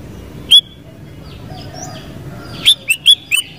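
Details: Sooty-headed bulbul (kutilang) giving a single clear whistle, a quiet gap, then a quick run of four bubbly descending notes.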